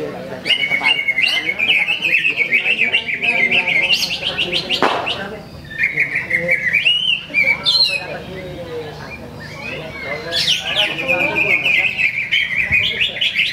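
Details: Greater green leafbird in action at a Ramadan practice singing contest in Sungai Batang Jawai, where it took first place: a loud, continuous warbling stream of rapid twittering and slurred notes, with a pause near the middle, over crowd chatter and shouting.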